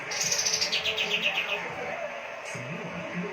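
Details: Kapas tembak in full gacor voice, used to tutor caged songbirds: a rapid burst of high chirps stepping downward in pitch for about a second and a half, then quieter background with a brief low sound.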